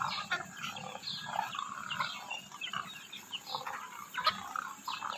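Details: Demoiselle cranes, known locally as koonj, calling in a group: rough, gruff mid-pitched notes in irregular overlapping bursts over a steady hiss.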